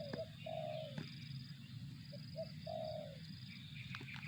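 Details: Tekukur, or spotted dove, in 'target zong' calling: a short coo, then a long descending coo, a pause, two brief notes and another drawn-out falling coo, with a low rumbling backdrop and faint high tones.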